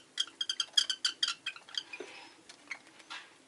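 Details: Rosy-faced lovebird chattering in a rapid string of short, squeaky, metallic chirps, about four per second, trailing off into softer scratchy notes.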